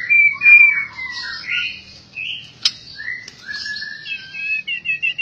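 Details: Albino white-rumped shama giving a varied song of long smooth whistles, some falling and some rising, with one sharp snap midway and a closing series of quick repeated buzzy notes.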